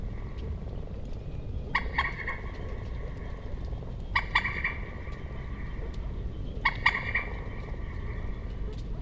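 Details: Common moorhen uttering short, harsh, clipped double notes, three bursts spaced about two and a half seconds apart, over steady low background noise.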